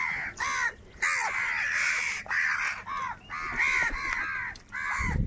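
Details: A big crowd of crows fighting over food calls in harsh, nasal caws, overlapping bursts nearly every second, ending with a low bump.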